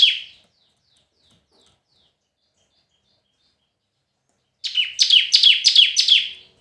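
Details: Red-whiskered bulbul in competitive singing: a brief bright note at the start, then after silence a fast run of about six loud, sharp, descending chirped notes at high pitch, quick and evenly spaced.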